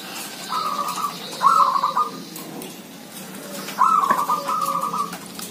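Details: Zebra doves in a village, many calling: two separate bursts of rapid, bubbling, trilled cooing, each lasting about a second and a half, divided by a quiet gap with soft background hiss.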